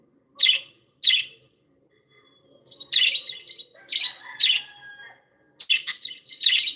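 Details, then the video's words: Pet budgerigars described as happy give two crisp chirps, then a busier run of scratchy chirps and faint warbling chatter, ending with several rapid overlapping high tweets. "Happy budgies sound"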